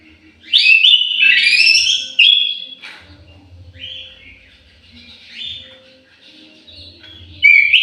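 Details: Orange-headed thrush housed in an aviary sings a loud rich warbled phrase, then softer scattered whistles amid low hum, ending with another strong whistle.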